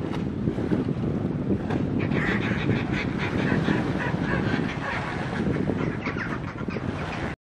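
Northern Fulmar giving harsh, guttural cackling calls in rapid bursts, set against strong gusting wind.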